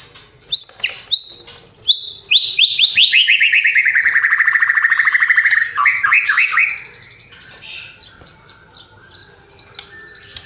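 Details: White-rumped shama singing a varied imitation-filled song. Sharp upward whistles open into a long run of rapid repeated notes that slide steadily downward, followed by quick chirpy flourishes fading into softer twitters.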